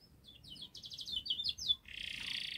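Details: Canary singing a long, fast, tightly packed song used to prompt young canaries to sing; quiet, brief high chirped notes followed by a dense buzzy trill at the end.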